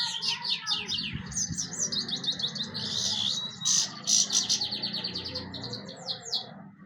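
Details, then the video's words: European goldfinch singing: a rapid, continuous twittering of bright, high chirps mixed with buzzy, tinkling trills, with a low steady hum underneath. "golden finch singing nicely طيور الحسون الذهبي تغني بشكل جميل"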